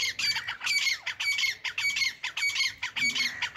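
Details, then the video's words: Hand-tame grey francolin (Irani or Dakhni teetar) calling loudly: harsh, squawking multi-note phrases repeated in a steady rhythm, about two per second, with no other sounds competing. "Gray Francolin Hand Tame Teetars Beautiful Voice | Irani or Dhakni teetar ki Khoobsurat Awaaz"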